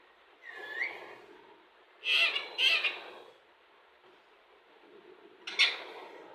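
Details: Indian ringneck parakeet imitating words: a soft rising whistle, then two loud clipped speech-like syllables, a pause, and one final sharp burst, with faint background hiss.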